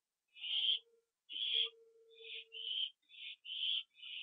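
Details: Owl at a nest, evening of September 24, 2011, at a food delivery later eaten on the roof; raspy hissing screeches in quick succession, the later ones shorter and closer together, over a faint low steady hum.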